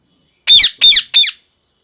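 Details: Parrot giving three loud, harsh screaming squawks in quick succession, each a short burst with a downward-bending tone, followed by silence; indoors, no other sounds.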